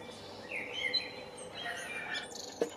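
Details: Eurasian blue tit family at a nest box in Anglet, France, spring 2020, giving soft, thin, high, slightly buzzy chittering calls in two brief bursts, with a sharp click near the end and faint background hiss.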